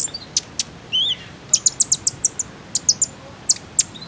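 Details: Lure call of a common iora used to make other birds sing: sharp high chirps, a short wavering whistled phrase, then a steady series of about a dozen clipped ticks at regular short intervals.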